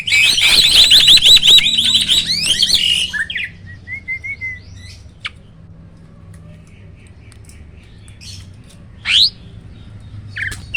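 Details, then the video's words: Hybrid starling from a cross of Asian pied and black-winged starlings, kept caged, opening with three seconds of loud harsh rapid chatter, then sparse short whistles and a brief sharp note amid quiet room noise. "BURUNG JALAK HYBIRD || GURU VOKAL SUARA ROLL TEMBAK."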